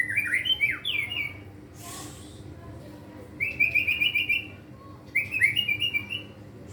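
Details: Captive white-rumped shama song rich in mimicked material: quavering whistled phrases in three bursts, each a fast string of rippling notes, with quiet gaps and one brief hiss between.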